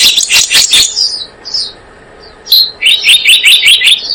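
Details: Blue-eared kingfisher calls used to lure birds: a shrill high trill of rapid sharp notes, a short gap with a few thin whistled notes, then another fast piercing series.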